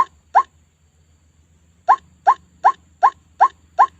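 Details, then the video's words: Trapping lure of white-breasted waterhen calls: two harsh nasal notes, a pause of about 1.5 seconds, then a steady run of six more repeated roughly every 0.4 seconds, with faint low hum. "SUARA PIKAT RUAK RUAK"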